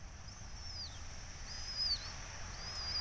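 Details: Red-tailed hawks at a nest on the Syracuse University campus during feeding, 12 May 2024, on a nest camera: thin, high, downslurred whistled squeals, about three drawn-out calls in quick succession over a steady low rumble.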